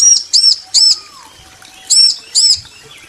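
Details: Bar-winged prinia pair, female and male, trading calls: five high, looped, arch-shaped notes in two short groups, separated by about a second of quiet.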